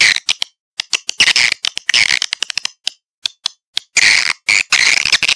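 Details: Swiftlet lure call played to draw swiftlets into a bird house for nesting: dense bursts of dry, rattling clicks and buzzy chirps, high-pitched, in irregular clusters separated by short silences.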